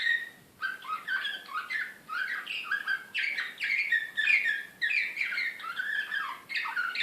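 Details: Excited Serbian slavujar canary, Belgrade, 2016. The song starts after a half-second pause, then rolls through clustered tours of sharp chirps and falling notes, about two phrases per second.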